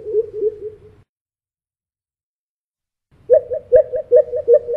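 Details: A pheasant coucal, elusive but noisy, calling near a house where it whoops constantly from 4am until after dark: low, hollow whooping notes in quick series, about two or three a second, two bursts separated by a short silent gap.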